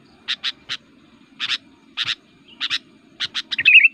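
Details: Sooty-headed Bulbul (kutilang) in aggressive, energetic fighting song meant to provoke other bulbuls, used for luring: bright paired chirps repeated about every half second, ending in a quick warbled, slurred phrase; quiet low hum behind.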